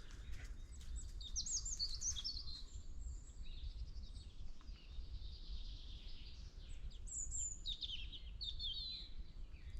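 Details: On a sunny March morning walk in woodland, a European robin sings its "sad" song of high, thin, tumbling phrases with pauses between them, over a steady low rumble of wind or distant traffic.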